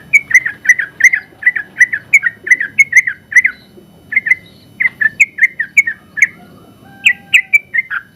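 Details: First-place sooty-headed bulbul from a general-class contest, delivering an energetic long 'ropel' song for training recordings: steady chains of clipped, bubbly downslurred notes broken by short pauses near four and seven seconds.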